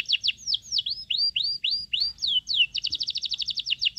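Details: Hungry young Sooty-headed bulbul, fed crickets, utters looping downward-curving whistled notes in quick succession, then breaks into a rapid even series of clipped high chirps.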